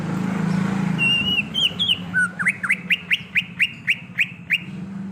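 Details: In the wild, a greater green leafbird gives a few warbled whistles, then a fast regular string of about ten short rising chip-like notes over a low background rumble.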